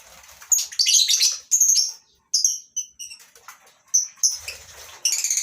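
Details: Lovebirds of several species in a small colony aviary at a farm in the morning give loud shrill squawks and chirps, some as short repeated descending notes, with wing flutter and busy chatter around.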